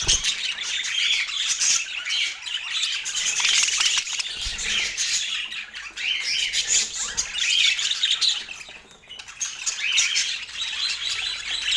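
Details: Pet parakeets chattering during an autumn morning feeding in natural light: dense high chirps and squawks overlapping continuously, with brief quieter dips near nine seconds.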